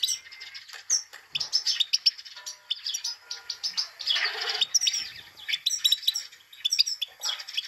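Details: Rapid, busy high-pitched twittering and chirping from a female Himalayan goldfinch, the 'pit pit tak' call used to arouse males, continuous and rather harsh, with broadband rustling noise throughout.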